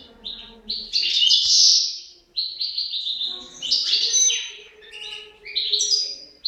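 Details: European goldfinch pair in song, a rapid jumble of liquid twittering and metallic buzzes, rising and falling in loud swells with brief gaps.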